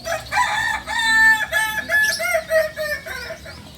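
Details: Novice Balenggek rooster, a chicken native to Solok, West Sumatra, gives a loud multi-part crow: a strong opening note, then a quick run of about eight short, stepped syllables that slowly drop and fade, with faint small-bird chirps behind.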